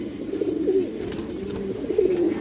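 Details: Domestic pigeons of fancy breeds offered for sale in Jatrabari; low, throaty cooing from several birds overlaps in rolling, wavering phrases, with a faint room hum beneath.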